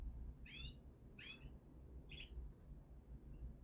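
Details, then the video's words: Native European goldfinch giving three short, bright, harmonic upswept notes about two thirds of a second apart, then a faint final chirp, over steady low rumbling background noise. "il cardellino nostrano"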